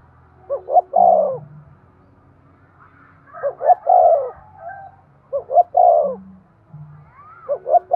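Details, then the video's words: Spotted dove calling to promote breeding, four repeated phrases of two short notes and a long slurred descending coo, roughly every two seconds, with low humming underneath. "Tiếng chim cu gáy thúc gù cực đỉnh/ chim cu gay kich boi hieu qua"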